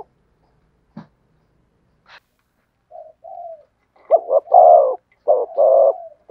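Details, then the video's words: Spotted dove, thổ sấm song style. A few faint clicks and soft low coos come first, then two loud phrases, each a quick double note and a long rolling coo. "cu gáy thúc gù giọng THỔ SẤM chuẩn nhất/ the cuckoo sings beautifully"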